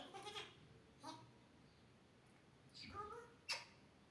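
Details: A pet grey parrot imitating a person, coughing and talking: soft voice-like syllables with sliding tones, then a sharp harsh cough-like burst near the end, quiet indoor room between sounds.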